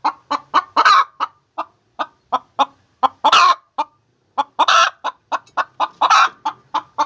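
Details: Clucking of a hen laying eggs, quick regular notes rising into three or four loud rasping squawks, with one short pause midway.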